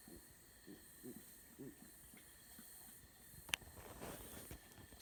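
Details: Owls calling to each other at dusk: soft, low hoots repeat about every half second, then stop, followed by a sharp click and rustling over a steady, high evening drone.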